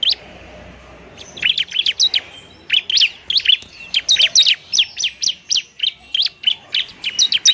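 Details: Semi-fluent bar-winged prinia in fighting song, used to lure and spur lazy birds to sing: rapid bursts of sharp, high, zigzagging chirps, uneven in spacing, running steadily for several seconds.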